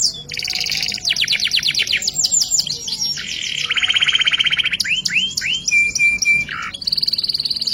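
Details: Canary delivering a varied 'gacor ngerek' song full of fills: rapid sweeping trills, a loud low buzzing rattle near the middle, scattered chip notes and a steady whistled tone before a final high trill.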